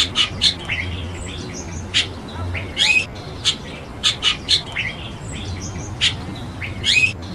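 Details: Chestnut-tailed starling (Sturnia malabarica), call.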